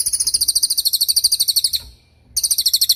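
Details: Cililin training song meant for young or moulting cage songbirds: fast, piercing high notes rattled off in a steady series, a brief gap near two seconds, then the same rapid chirping resumes.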